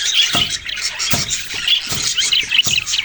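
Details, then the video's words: Brief budgie chirping: high warbled notes over a few soft, dull knocks. "parrot sounds and chirping sounds"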